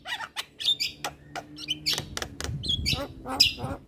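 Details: Javan myna, used as a tutor recording for lazy-singing mynas: loud harsh broadband chacks mixed with short whistled notes and scratchy chatter, with a low hum beneath.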